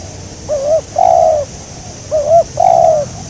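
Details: Spotted dove cooing at a trapping site; two clear phrases, each a brief wavering note leading into a longer flat, husky coo, against steady high-pitched hiss.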